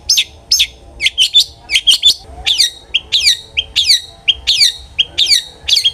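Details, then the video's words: Long-tailed shrike song used as a lure for other shrikes: rapid, steadily repeated sharp descending chirps, each with a short buzzy tail, about a note and a half per second. "suara burung CENDET GACOR ampuh pancingan CENDET AGAR BUNYI"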